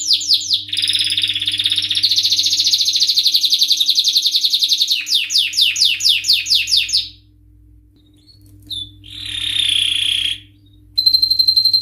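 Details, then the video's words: Male canary singing excitedly: rapid rolling trills of repeated high chirps for about seven seconds, a pause, then a held whistled note and a brief renewed trill, over a faint low background hum. "تغريد روعة سيجعل ذكر الكناري في قمة الهيجان⚡لن يصمت طائرك عن الغناء بعد اليوم🔥Canary singing"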